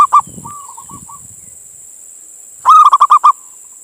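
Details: A local male zebra dove calls for a female with soft, wavering coos followed by a loud, quick burst of six bubbling notes; a few faint low knocks in between. Played to attract other doves.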